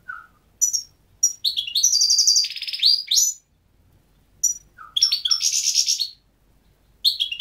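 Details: Goldfinch song: rapid, tinkling twitters mixed with dry buzzy rattles and harsh wheezy trills, delivered in two long bursts separated by brief silences, ending with a sharp chirp.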